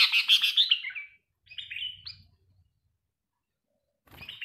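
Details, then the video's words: Trained, tame sooty-headed bulbul used as a decoy bird: a burst of slurred, downward-sliding chirps, then a shorter bright phrase after a pause, with a sharp note at the end and faint low room noise. "melatih burung kutilang pikat"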